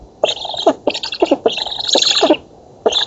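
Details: Black stork chicks clamouring at feeding time on their oak nest in Poland, 11 August 2017; gargling, hissy bursts with short squeaks run into one long rasp, then a pause and a fresh burst.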